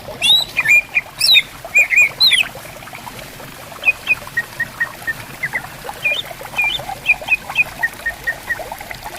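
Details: Greater green leafbirds answer each other in bamboo forest at a riverside. Sharp whistled and slurred notes come in bursts, some sweeping high and others short and repeated, over a steady trickle of flowing water.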